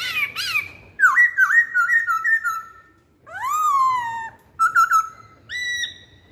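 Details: A masked laughingthrush sings as a lure: chattering notes, a run of level whistles, a loud falling whistle, then short bright doubled notes and a final rising phrase.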